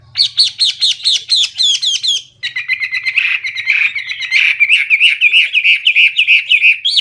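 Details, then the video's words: Hwamei pouring out a loud, clear, chatty song: quick repeated high notes about three per second, then an unbroken stream of rapid, jumbled warbling phrases. "Hwamei/wambi gacor full isian suara keras jernih"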